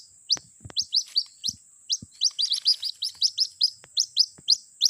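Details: White-breasted waterhen chick calling its mother, played as a lure call for trapping: rapid series of thin, high, downslurred peeps, several each second, over a steady high electronic whine with a few soft low thumps.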